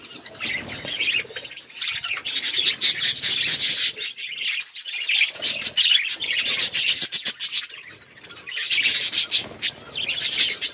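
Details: Pet budgerigars, hand-tame, chirp in long rolling stretches of harsh warbled chatter, easing off briefly at intervals before picking up again.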